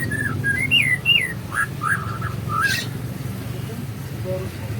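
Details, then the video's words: Murai in the morning, singing a melodious filled 'isian' song: a quick run of looping whistled notes, then a few lower slurred calls, followed by quieter rumbling background. "Suasana pagi kicau merdu gacor pas isian murai"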